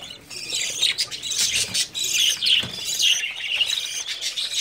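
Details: Budgies in breeding condition at summer's start twitter in a dense high chorus, with a brief quieter moment early on, then steady chirps, squeaky whistles and rasping notes running on together.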